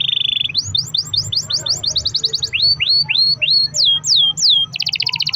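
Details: Pet canary singing a lure song so other canaries will start: a steady buzzy note, a fast run of rising chips, spaced upswept whistles, falling slurs, and a closing dense double-pitched trill.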